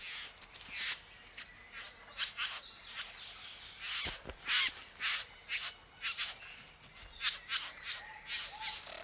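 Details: Male Satin bowerbird (Ptilonorhynchus violaceus) at his bower in Bunya Mountains forest, Australia, in serious courtship display to a visiting female, giving harsh, buzzing, rasping bursts in quick irregular runs over soft forest background.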